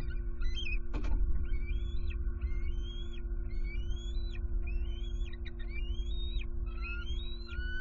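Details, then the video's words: At night in Southwest Florida, 23 September 2020, two alert bald eagles vocalize at the nest with their young one joining; a steady run of climbing, slurred whistles, roughly one per second, a sharp click early on, background hum. "Harriet & M15 On High Alert! Return Vocalizing To Nest At Night!"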